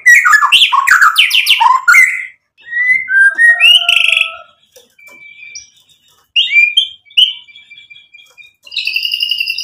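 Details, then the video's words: White-rumped shama song played to provoke other shamas: a dense burst of varied whistles and chatters, then spaced clear whistled phrases, softer notes and a final buzzy trill. "MURAI BATU GACOR memancing EMOSI jadi NYAUT BUNYI BONGKAR MATERI ISIAN | PANCINGAN MURAI"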